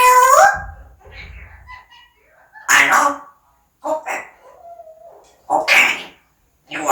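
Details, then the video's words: Talking pet parrot at home producing a run of speech-like syllables with sharp clicky onsets, a whistled gliding tone near the start and short bursts spaced one to two seconds apart. "앵무새똘이ABC 구독ABC 좋아요ABC 고맙습니다ABC"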